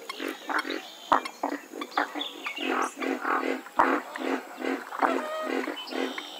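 Western swamphen giving harsh, nasal, honking calls in a rapid, uneven series of grating notes, with a few sharp clicks between them.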